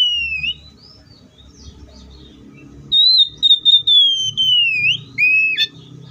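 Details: Song of an Oriental magpie-robin: an opening whistle, then a sustained pure tone broken into pulses that glides gradually lower and ends in an upward flick. Two lower whistled notes close the phrase, with a soft low rumble in the background.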